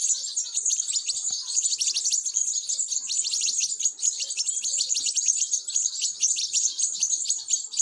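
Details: Begging European goldfinch chicks at feeding time give an unbroken, insistent rush of tiny high squeaks, rising and falling slightly in loudness throughout.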